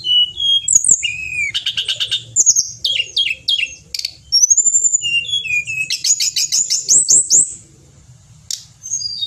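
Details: Pied bushchat, a mountain bird, in loud energetic song: fast varied phrases of sharp rising and falling whistles, buzzy trilled bursts and rapid chirps, mixing many note types, ending after a brief pause, over faint low hum.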